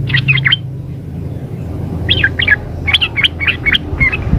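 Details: Female sooty-headed bulbul calling the male, a quick warbling chatter of bright looping notes in several bursts, softer at the end, over low steady hum.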